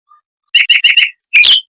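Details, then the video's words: Mockingbird song in a fast, tight rolling style with long phrases, used as tutor material for white-rumped shamas: four quick buzzy chirps in a row, a thin high whistle, then a harsh rasping burst. "Suara Burung Mockingbird Roll Speed Rapat Tembakan Panjang untuk Masteran Murai Batu"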